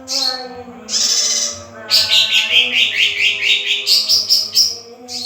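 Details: Young male lesser green leafbird singing: bright, rapid high warbled phrases with quick rising and falling notes, a short burst near the start, then a longer rippling run of repeated notes, with a faint low hum underneath.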